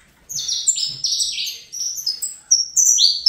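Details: Fibra-style song of a young saffron finch bred in captivity, a fast sequence of sharp descending buzzy slurs, each note dropping in pitch, ending in higher, ringing whistled notes.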